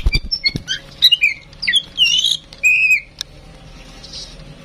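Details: Tame female oriental magpie-robin, used to prompt other birds into song. A quick varied phrase of whistles, chirps and slurred notes builds up, ending in a loud downslurred whistle, after which there is quiet background.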